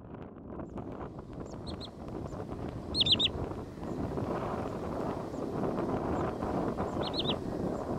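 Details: Wood sandpiper at the lakes of Quinta do Lago, Loulé, Algarve, Portugal, on 27 April 2022, giving high, sharp three-note calls, 'chiff-iff-iff', three times in eight seconds, over steady wind noise.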